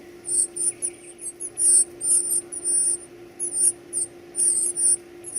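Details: Baby birds at feeding time utter loud, shrill, trilling squeaks in clustered bursts separated by brief pauses, all very high-pitched, against a steady low electrical hum.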